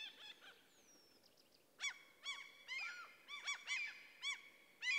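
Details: Common cranes in a forest in the middle of Sweden; after a quiet, faint start, loud arched trumpeting notes with rich overtones come in short bursts from about two seconds on, several overlapping.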